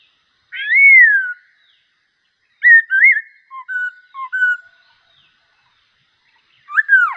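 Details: Bulbul with black cheeks in strong song: a rich arched whistle, a pause, then a jumble of short warbled and fluty notes trailing off, and a final downward-slurred whistle after a silence.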